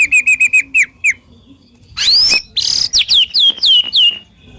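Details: White-rumped shama, a master song used to stimulate silent shamas to sing, with harsh and sharp 'tembakan' bursts: a quick run of clear whistled notes, then loud sweeping, slurred whistles repeated rapidly.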